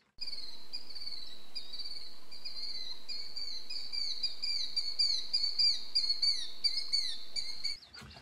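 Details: Killdeer at Seven Islands State Birding Park, Tennessee, giving a steady run of high, shrill, piercing notes, several per second, rising in intensity near the end over a faint background hum.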